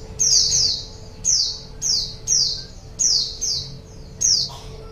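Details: ['Wild-bird lure of a white-eye: seven shrill, high downward-slurred chirps, the first as a quick double, spaced about half a second to a second apart over a soft hum.']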